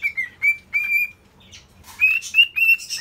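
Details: Pet cockatiel vocalizing in its new cage: a series of clear whistled notes, some steady and some sliding, repeated in short bursts, with a brief pause and faint wing flutter midway.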